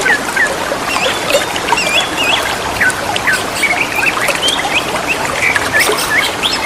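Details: In the wild by running water, greater green leafbirds answer each other with a dense chatter of short whistled slurs and chirps, amid a continuous rushing, trickling water sound.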